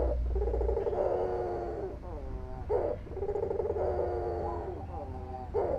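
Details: A white albino dove, described as calling often, repeats two long, low, vibrating coos, each sliding down into a separate sharp accented note, over a steady low background hum.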